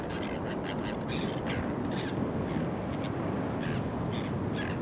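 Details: Greater crested terns, courting and pairing up at Boat Harbour Aquatic Reserve, Kurnell, New South Wales, Australia, in early September 2020, give harsh, grating rasps in quick, uneven bursts, several birds overlapping, over a steady roar of wind and surf.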